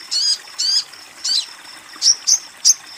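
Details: Female Chestnut-winged babbler (Cyanoderma erythropterum) calling the male: a run of high, thin, squeaky notes, about two per second, speeding up toward the end; used as therapy for newly caught birds or birds that have stopped calling.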